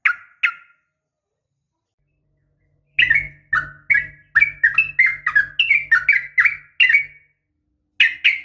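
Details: Female sooty-headed bulbul calling a male, a fighting sound: two opening chirps, then after a pause a chattering string of varied rising and falling whistled notes, closing with a sharp pair, over a low hum.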